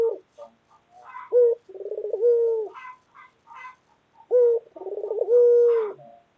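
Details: White local Barbary dove, a loud, vigorous caller, giving two coo phrases: a sharp opening note, a rapid stuttering roll, then a long steady low hoot, with faint soft notes between phrases.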